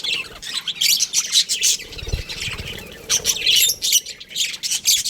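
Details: Baby budgerigars chirping in an aviary, bursts of gritty, buzzy chatter rising and fading, with one dull thump in the middle.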